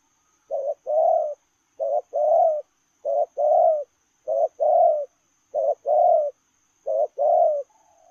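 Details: Running spotted dove keeps up its two-note cooing, a short hoot then a fuller warbling coo, repeated six times at even intervals, ending with a soft falling note.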